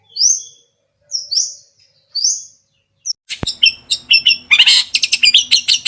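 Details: Long-tailed shrike from Java singing a full, clear song rich in filler phrases: three thin high whistled notes a second apart, a sharp click, then a fast burst of varied chirps and twitters.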